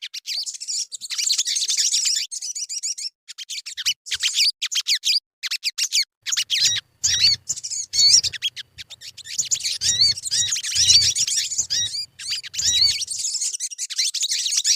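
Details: Long passage of sogon song used as a lure to prompt singing. Dense high twittering and trilled chirps come in waves with brief silences, with faint low thumps in the middle.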